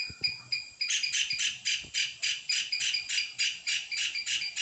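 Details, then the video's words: A kingfisher, described as giving its breeding song, utters harsh, buzzy, high-pitched notes in a steady series of about three or four a second, with a few soft knocks at the start. "kingfisher -Birdcall- Bird song ,breeding song"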